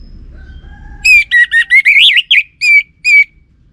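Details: Orange-headed thrush lure song: faint thin tones, then a loud, rich sequence of rolling, wavering whistles ending in two separate short notes.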